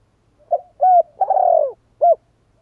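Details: A spotted dove gives one full cooing phrase: a brief soft coo, a clearer coo, a long rough purring note that slides downward, then a final short hollow coo. The background is quiet.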